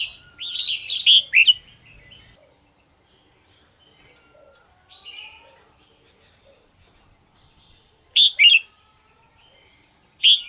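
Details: Red-whiskered bulbul in morning 'ché' song: an opening run of loud, rolling whistled notes, quieter scattered chirps, then two more short, bright bursts of two or three notes each toward the end.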